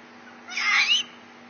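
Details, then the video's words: A pet bare-eyed cockatoo showing off gives one harsh, raspy screech lasting about half a second, rising and then dipping, with a faint background hum. "bare eyed cockatoo showing off"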